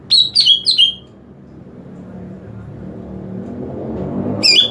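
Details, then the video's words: Greater green leafbird calling to attract other green leafbirds: three rapid, piercing downward-sweeping whistles open the passage, then a long lull of low rumbling background before another sharp note at the end. "SUARA PANGGILAN CUCAK IJO UNTUK MEMIKAT CUCAK IJO LAIN"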